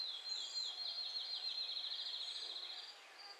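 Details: Cedar waxwings in Michigan on June 20, 2011, give very high, thin, lisping trilled notes, several overlapping in a steady sibilant stream. Occasional trills and faint higher whistles are heard, with other birds singing nearby and mosquitoes buzzing.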